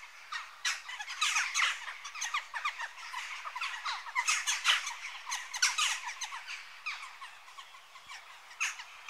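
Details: Western jackdaws calling: a busy run of short, squeaky, harsh notes, several birds overlapping in irregular bursts of chatter for the whole stretch, with no low background noise.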